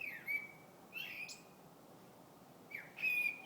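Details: February birdsong with a few long, clear whistled notes held at one pitch, some slurred at the start, separated by a quiet gap.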